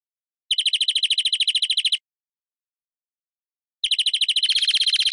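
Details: European greenfinch song: two dry, rapid trills of about a dozen evenly repeated notes per second, each lasting over a second, separated by a silent pause; no other sounds.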